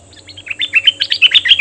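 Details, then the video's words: Cream-vented bulbul kept as a decoy bird, described as very fierce, recorded May 2021: a fast run of chattering, slurred notes that rise in loudness and pitch toward the end, over a steady high electronic whine. "Suara merbah lekir Bird sounds"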